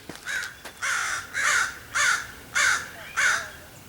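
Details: Common Ravens in Cheseboro and Palo Comado Canyon, Agoura Hills, California, on 15 February 2025, calling while foxes are nearby below. They give a series of harsh, hoarse croaks, about one every half second.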